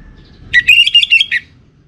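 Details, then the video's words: Orange-headed thrush (anis merah) from Singaraja, Bali, in lure song: one brief, rapid phrase of roughly eight ringing whistled notes, lasting under a second, over soft low background hum. "Spektakuler Kicauan Burung ANIS MERAH Pancingan Bikin Teler"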